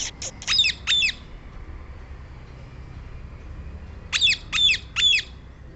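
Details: Rose-ringed parakeet, also called Indian green parrot, giving harsh, high, grating squawks in two bursts of three to four rapid notes, separated by a few seconds of quiet low background hum.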